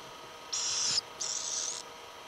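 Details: Little owl family, whose young give a grating "chich" call. Two harsh, breathy hisses, each about half a second long, follow one after the other with a short gap, high-pitched and steady, over faint background noise.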